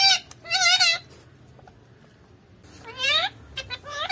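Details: Parrot mimicking Malayalam speech: two bright, bending bursts of word-like sounds sweeping upward and downward, separated by almost two seconds of near silence, then a final short syllable.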